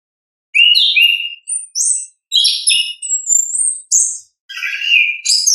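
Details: Orange-headed thrush giving its natural ngeplong song, quick sequences of whistled slurs, buzzy notes and very high thin phrases delivered in short bursts with tiny pauses, nothing else audible.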